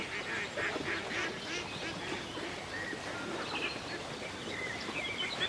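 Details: Ducks at a peaceful country lake, opening with a burst of loud, raspy quacks about three a second. Quieter duck chatter follows, with sharp whistled bird notes near the end.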